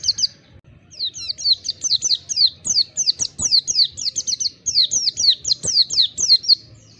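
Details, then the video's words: Oriental white-eye song used as therapy to get a bird singing continuously and opening its beak: rapid runs of high, thin, downslurred chirps, tumbling almost nonstop with brief gaps. "Terapi pleci bahan agar cepat ngalas buka paruh, terapi pleci ampuh"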